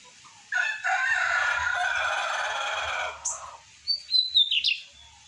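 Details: Morning song of a caged lined seedeater, about 8:30 a.m.: a long loud, coarse buzzing phrase lasting over two seconds, a sharp high note, then a cluster of quick rising whistles.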